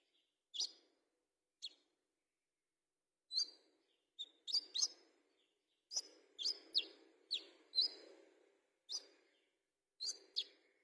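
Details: Fighter-class olive-backed sunbird kept in a cage, delivering sharp high chirps that start sparse and then come in quicker clusters of two or three notes.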